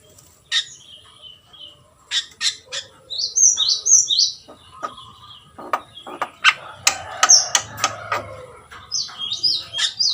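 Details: Jalak kebo, the Javan myna, singing gacor: scattered clicks, then clusters of high rising whistles, giving way to rapid dense chatter and more whistled phrases at the end.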